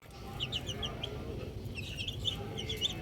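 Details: Baby chicks outdoors, enjoying being outside, giving bursts of short, high, downward-slurred peeps in quick clusters, with a steady low background rumble.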